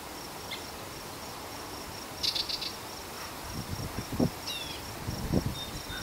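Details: Yellow-breasted chat vocalizing: a harsh, bright burst followed later by a couple of quick descending whistled notes, set against a continuous high insect drone and soft low thuds.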